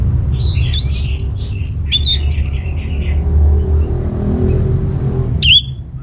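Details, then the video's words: Orange-headed thrush singing, meant as a lure for other birds to respond: a burst of varied whistles and rattling notes in the first two seconds, a pause, then one sharp downslurred note, over low rumbling noise. "Putar Kicauan ANIS MERAH Gacor Ini dijamin Pasti Ikut Nyaut"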